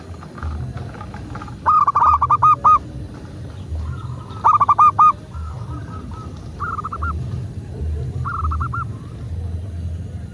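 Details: A local zebra dove gives a prompting master recording. Two loud bursts of rapid, bubbling coos are followed by softer, more distant coo phrases. A low droning rumble runs throughout.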